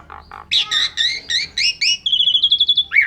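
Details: Asian pied starling singing energetically, its song filled with imitations, used for tutoring caged birds; harsh rasping notes give way to a fast run of high, even chirps and a closing buzzy squeal.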